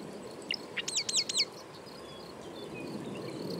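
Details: Marsh wren song: two short sharp introductory notes followed by three quick, looping, gurgling notes, then quiet background hiss.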